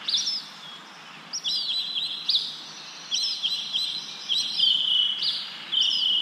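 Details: Bird chirping amid wind-blown leaves: bright short chirps and sustained high trilled notes, some with quick upward flicks, in bursts every second or so over a soft steady hiss of wind.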